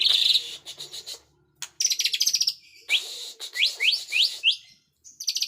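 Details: White-rumped shama singing a dense, loud mix: buzzy high notes, harsh rattles and a run of four or five quick rising whistled notes, with a short gap of silence midway.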